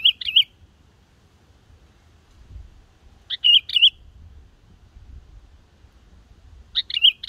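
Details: Young black-headed Yellow-vented bulbul practising its song, used to lure wild birds for trapping: short, bubbly, liquid phrases of three or four notes, repeated about every three seconds, over a faint low rumble.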